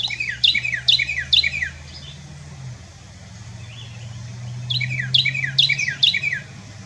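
A Carolina wren sings two loud bursts of rolling, repeated three-note phrases, bright and ringing, with a low engine hum beneath.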